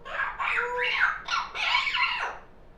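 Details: Indoors, a young African grey kept as a pet chatters in the afternoon, voicing loud, rasping, speech-like syllables that arch and dip in pitch; a yellow-naped Amazon parrot shares the room.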